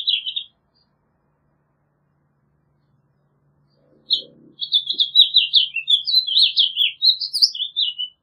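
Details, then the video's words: After a brief chirp and a silent gap, a house finch launches into a long, hurried warble of sharp, slurred notes rising and falling, with a faint soft knock partway through. "Pinzón Mexicano / Carpodaco Canto! Llamado! Cantando! - House Finch Song - Haemorhous Mexicanus"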